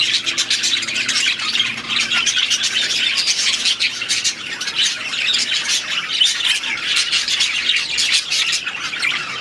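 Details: Loud, continuous chorus from a group of aviary budgerigars: rapid scratchy chirps, warbles and squawks overlapping densely throughout, with a faint low hum at the start.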